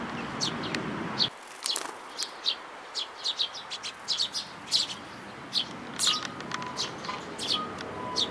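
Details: Sparrows with a chick, 18 May 2018, giving a busy run of bright, clipped chirps, some in quick pairs and clusters, over quiet background with a brief rustle near the start.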